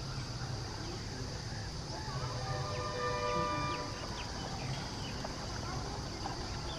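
A grebe gives a single nasal, harmonic-rich call lasting about a second, set against steady low rumbling background noise and faint clicks.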